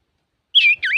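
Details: Male common iora singing energetically, a recording meant to provoke other birds: two clear whistled notes, the first level then dipping, the second swooping down and back up.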